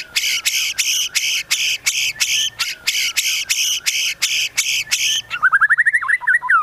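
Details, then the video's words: Medan-type white-rumped shama in full song with cililin and cucak jenggot imitations: about a dozen harsh, buzzy, rasping bursts in steady rhythm, then a quick run of rising chattering notes. "MURAI BATU MEDAN GACOR FULL ISIAN TEMBAKAN CILILIN SAMBUNG LIVEBIRD CUCAK JENGGOT"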